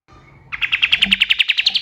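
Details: Dawn song of a male kapas tembak (white-eye), used as tutor audio for songbirds: a brief run of about thirteen clipped, rapidly repeated chips, each rising slightly.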